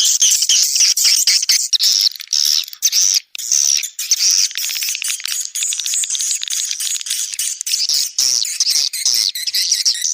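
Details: Lure recording SP Anak Gembala for swiftlet houses in Sóc Trăng and Đắk Nông, Vietnam, of Indonesian origin and outdoor type: swiftlets give harsh, rattling, high-pitched twitters that run almost continuously, with short clicky breaks.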